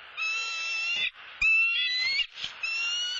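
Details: Bald eagle pair at their Southwest Florida nest on a live cam after the male brought a soft-shelled turtle for the female: a run of four high, slightly wavering whistled notes with brief gaps and soft knocks between them.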